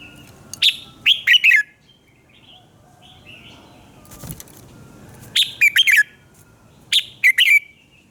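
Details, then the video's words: Morning song of a red-whiskered bulbul used as a training voice: several loud phrases of three or four clear, slurred notes dropping in pitch, spaced a few seconds apart, with softer twittering in the gaps. "luyện giọng chào mào hót sáng - Hót hay nhanh lửa"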